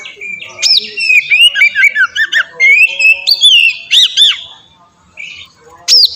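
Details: Ngeplong song of an oriental magpie-robin, played to make other birds sing: sweet, sliding whistles and fast chattering slurs, dropping into a quiet gap before a final sharp rising note.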